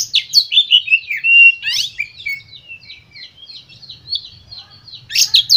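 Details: White-rumped shama lure song for stirring other birds: quick runs of downward-sweeping whistles and sharp chips, then softer scattered notes before another burst, with a low background hum.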